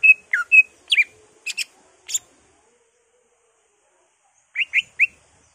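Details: Greater green leafbird singing ngentrok style with mimicked songs of magpie-robin, laughingthrush, cililin, white-eye and canary: short bursts of sharp high whistles and chips, a long pause, then three rising whistled notes.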